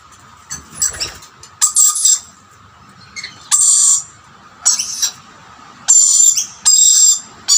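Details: Rainbow lorikeets squabble at two snack plates as a dominant male chases other birds from the food. They give harsh, grating screeches in short bursts about every second over a faint steady high whine.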